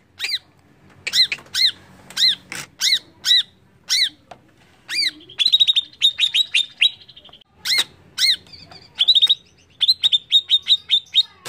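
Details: Lively greater green leafbird song meant to provoke rival birds, with sharp downslurred double notes in a steady series, then rapid trilled bursts of high chirps, each phrase lasting about a second.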